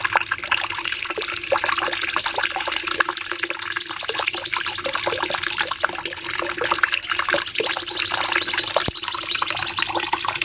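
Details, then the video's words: Cucak cungkok bulbul delivering a long rapid song used to train caged birds: a sustained buzzy high trill that rises, dips, and rises again, with busy lower chatter throughout. "Masteran Cucak Cungkok nembak panjang"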